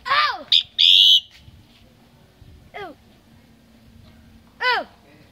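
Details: Common myna, recorded on a Tet 2018 home visit, gives a downward-curving whistle, a loud rasping burst, then two more falling harmonic sweeps after a quiet gap.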